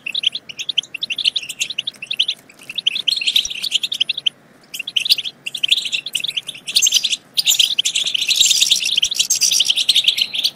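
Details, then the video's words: Song of the European goldfinch, used to encourage goldfinches to sing and breed. A long run of rapid, bright chattering breaks off in two brief pauses, then resumes and grows into a loud, crowded burst of trills. "بتبتة تجنن الحسون وتفقده العقل بتبتات خرافية في تحفيز الحسون على التغريد بتبتة تخرج حسونك عن السيطرة"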